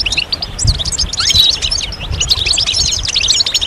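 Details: Several European goldfinches twittering together, a chorus intended to stimulate other males to sing; dense, overlapping high tinkling notes and short buzzy trills run continuously, with faint low thumps beneath.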